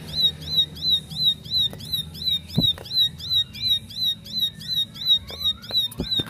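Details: Bar-winged prinia, described as a silent bird that immediately answers and joins the rapid 'nembak' singing; a steady run of piercing, high, slightly downslurred notes, close to three per second, over a low hum and occasional sharp clicks.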